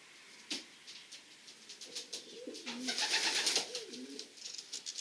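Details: Racing pigeons inside their loft give low, wavering coos that rise and fall in short phrases, mixed with sharp high clicks, scratching and rustling from the birds moving about.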